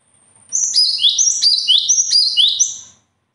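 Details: Preceded by a thin high tone, a bird sings a lively two-and-a-half-second phrase of about five repeated downward-slurred whistles, bright and loud throughout.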